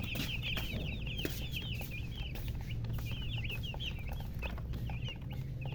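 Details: Colored chickens chirping busily, with dense overlapping high, curling peeps in quick succession almost throughout, some louder runs, over a low steady hum.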